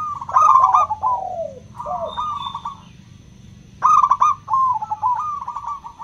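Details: Local zebra dove with a crystal-clear voice, used to stimulate silent doves: two loud rippling coo phrases about four seconds apart, each trailing into softer rolling notes, with a quieter phrase between them.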